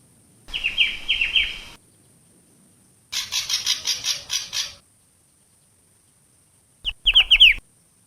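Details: Lure song of a long-tailed shrike from Java: a phrase of shrill slurred notes, then a long grating chatter of about nine rasping pulses. A quick cluster of sharp falling chirps closes it, over a faint steady hiss.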